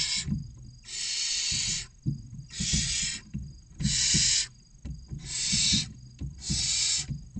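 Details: Hungry barn owl chicks in a nest box near a visitor centre in Cabañeros National Park, Spain, six young of differing ages awaiting a feed: six loud, breathy screeching hisses in quick succession over low thumps and shuffling.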